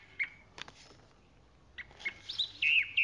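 Chalk-browed Mockingbird singing a few varied high notes: short chirps, clicks and a slurred phrase ending in a rich trilled note, all high-pitched and quiet.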